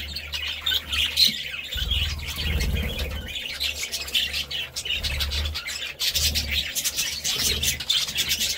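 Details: Budgerigar twittering with scratchy chirps and short warbled phrases throughout, interrupted by patches of low rumbling noise.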